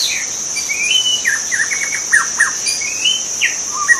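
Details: Wild white-rumped shama singing in its natural habitat: a varied run of clear slurred whistles, rising sweeps and quick descending notes, one phrase after another, over a steady high insect drone.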